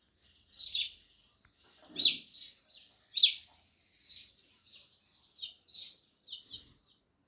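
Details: Sparrows chirping loudly in a steady series of sharp, high chirps, roughly one per second, with faint twittering between them and a brief low thump near the start.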